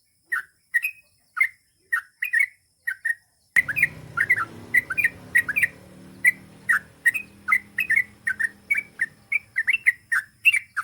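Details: Sooty-headed bulbul in energetic gacor song, long ropel style, delivering a steady stream of short liquid slurred phrases roughly twice a second; a low rumbling background noise joins partway through.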